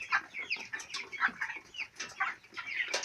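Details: Four-week-old chicks at a farm, several peeping close by: clear high cheeps and short descending chirps in irregular bursts, overlapping one another with little pause between calls.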